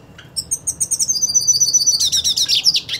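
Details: Purebred hooded siskin singing while wanting to fight another hooded siskin: a fast, high twittering run that settles into a long, thin sustained whistle, then breaks into dense, scratchy chattering notes repeated rapidly to the end.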